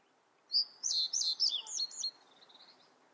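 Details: Common reed bunting song: one brisk phrase of about six high, quick, slurred and slightly wavering notes lasting around a second and a half, followed by quiet background.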